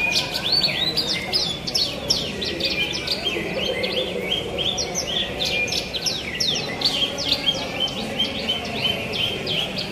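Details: Singing contest of Javan bush larks: a dense, continuous stream of rapid high chirps, buzzy trills and downslurred whistles, with crowd noise underneath throughout.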